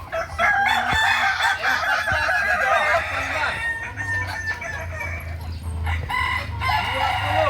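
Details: Crowing contest practice of Kukuak Balenggek roosters, Ampang Kualo, Kota Solok, May 2024: loud, dense, overlapping multi-tiered crows fill the recording, over a droning low hum that swells toward the end.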